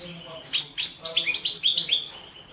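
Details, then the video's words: Balkan European goldfinch, Carduelis carduelis balcanica, singing for a world championship competition recording in Serbia in 2017: a short bright burst of high twittering notes and quick downslurred chirps lasting about a second and a half. "Pesma štiglića 014/ 2017 Stefan Sapunarov World championship in Goldfinch Song 2017"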